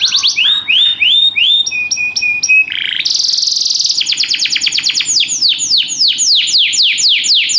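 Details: Canary singing a fast, varied song: rapid trills and rising whistled notes, a steady buzzy tone, then a dense rattling roll of quick repeated notes, all high-pitched and loud.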